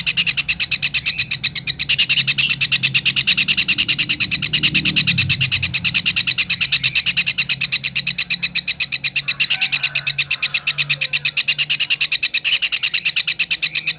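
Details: Kingfisher calling in a recording used to tutor songbirds: fast, harsh, evenly repeated notes, about three per second, run through the whole stretch, with a few higher sharp chirps and a low hum beneath.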